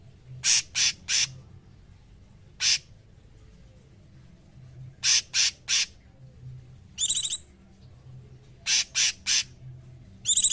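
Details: Training song of a cungkok bird: scattered raspy high bursts, often three in rapid succession, with occasional clearer ringing notes and quiet pauses between phrases.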